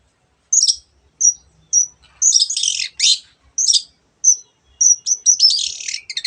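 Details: Long-tailed shrike alternating single high whistles with loud scratchy, buzzy phrases, closing with a rapid chattering run of mimicked bird calls.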